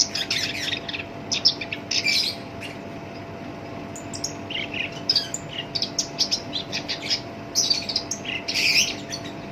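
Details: Captive black-browed reed warbler (kerak basi alis hitam) in full rough song, used as a lure to set other birds singing; dense bursts of harsh, scratchy high chirps and trills with short pauses between phrases.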